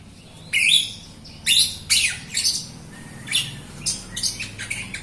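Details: Jalak Rio myna singing to prompt other Jalak Rio birds and quiet singers; a string of harsh, scratchy high bursts at an uneven pace, about one each second, softening toward the end.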